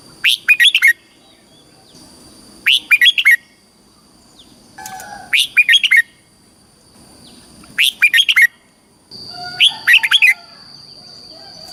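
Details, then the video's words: Caged red-whiskered bulbul from Thailand singing the southern master song style used to teach young birds, giving short rich warbled phrases of several quick notes roughly every two to three seconds, with a faint steady high tone throughout. "เสียงนกกรงหัวจุก สำหรับต่อ หรือ เปิดให้นกคึก"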